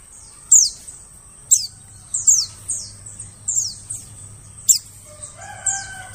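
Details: White-eye lure call for attracting birds in the forest: thin, very high chirps slurring sharply downward, given singly or in quick pairs about once a second, with a low steady hum underneath and a brief harmonic call near the end.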